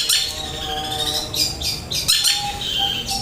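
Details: Long-tailed shrike pouring out varied material: sliding whistles, buzzy notes and sharp chattering bursts alternating quickly, over a low background hum.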